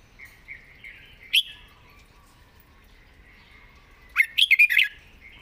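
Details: A red-whiskered bulbul described as an eager singer with pleasing phrasing gives soft chirps and a single sharp note, then a bubbly burst of rapid, tumbling whistles.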